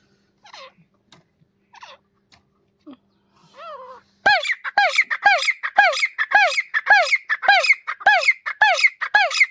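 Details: Desi teetar, or grey partridge: a few soft, scattered squeaky notes, then a loud, steady series of ringing, harmonic, down-curving calls repeated almost twice a second.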